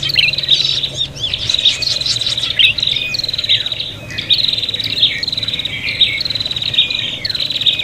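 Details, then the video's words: Noisy, fighting prinia calling, used as a lure to attract birds: rapid high rattling trills strung together, punctuated by sharp descending squeaks, pulsing with quick loudness swells throughout. "suara prenjak pikat ribut tarung"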